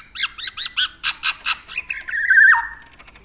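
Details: ['Black-naped oriole, a tame Javan bird, giving seven quick harsh notes, then a drawn-out wavering note that slides down at the end, all close and clear.']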